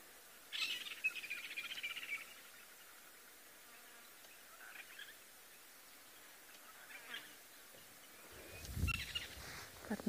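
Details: Woodland kingfisher (Halcyon senegalensis) on a sunset safari drive along Mvubu Road, 21 Nov 2022, gives a harsh, buzzy, rattling alarm call under two seconds, possibly signalling a nearby predator. Faint distant calls and a man's voice follow.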